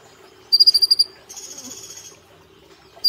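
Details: Caged brown-throated sunbird singing 'nembak platuk cililin' for a cage-bird training track; a brief, quick trill of about six high notes gives way to a longer, buzzy high hiss before another trill starts.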